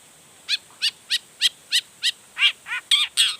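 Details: Long-tailed shrike, a lively singer showing off its repertoire to spur other shrikes to sing. Evenly spaced, harmonic, descending notes repeat about three times a second and grow louder and harsher toward the end.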